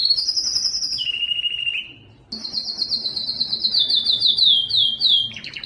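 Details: Canary male singing to draw females for mating: a high rolling trill stepping down to a lower one, a short silence, then a long bright trill of rapid slurred notes descending in steps.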